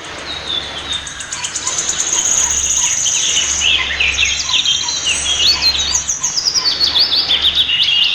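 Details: Territorial pied fantail (maria capra) at its nest in a backyard garden in Prenza, Marilao, Bulacan, Philippines, giving a steady run of high, squeaky chirps and twitters, about three a second, overlapping and jumbled, over a faint low hum.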